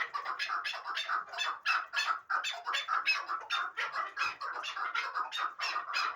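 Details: Hybrid partridge kept as a fighting and hunting bird, giving rapid chuckling notes repeated several times a second in an even, throaty run, with no other sounds.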